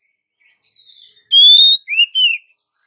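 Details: Female Oriental magpie-robin calling to a male. Soft high chatter, then one loud, clear rising whistle followed by two shorter whistled notes that bend up and down.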